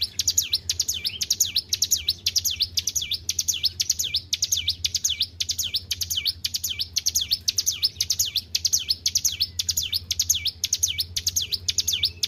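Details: Long, tireless performance by a kept hill prinia: high, piercing notes that swoop down and climb back up, repeated nearly two per second for twelve seconds without a break. Faint low droning in the background.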